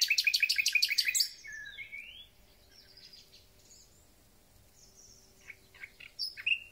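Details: Thrush nightingale in spring song: a fast loud burst of repeated rich chopping notes, then soft gliding whistles and scattered quiet notes after a pause.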